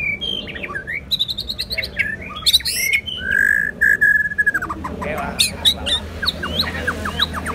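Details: White-rumped shama song of rich whistled notes, a long steady whistle midway, then rapid clicking and chipping notes, over a low background hum.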